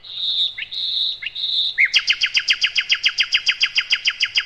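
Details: Nightingale, known locally as sikatan londo, used as a master for training other birds: three drawn-out level whistles broken by short slurs, then a long, very regular trill of about twenty sharp downslurred notes.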